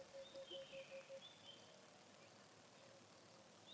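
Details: Emerald-spotted wood dove near a river in February gives its very soft, slowly descending call, likened to a bouncing tennis ball: six low, hollow coos, about five a second, over steady hiss and faint high whistles from other birds.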